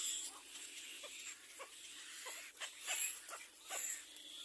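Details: Little black cormorant attacking its own young: short, harsh, squealing notes repeated at uneven intervals, some louder near the end, over steady high-pitched hiss.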